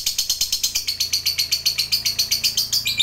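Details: Lovebird, fighter type, in extended 'ngekek' chatter aimed at making other lovebirds call back: about four raspy high-pitched pulses per second, evenly spaced and sustained throughout.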